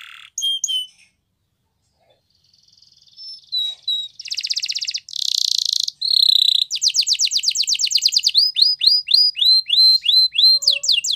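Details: Canary with Spanish Timbrado training song: a few opening whistles, a pause, soft whistled notes building into buzzy metallic rolls, then long fast chirped trills and repeated swooping notes, all clear and loud.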